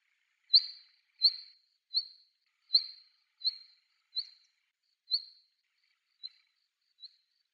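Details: A vagrant female Black Redstart on Yonaguni Island gives thin, high 'tsip' notes, one roughly every three-quarters of a second, growing fainter toward the end; otherwise quiet.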